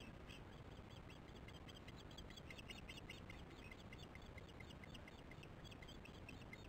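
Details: Osprey alarm calls at a nest during chick feeding, evening of 22 July 2015, nest camera recording: a fast, continuous string of sharp, high whistled chirps, several per second, over a constant rushing background noise.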